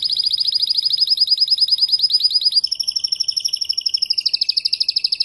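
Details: After the moult a Spanish timbrado canary tutor bird unfolds its repertoire: an even, bright pulsed trill for over two seconds, then a smoother rolling tour with a lower second voice, ending in a fuller, throbbing trill.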